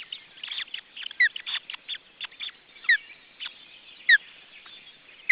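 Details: Osprey nest in June 2012 after a second chick appeared: busy soft chatter, then louder downward-slurred whistles spaced about a second apart toward the end.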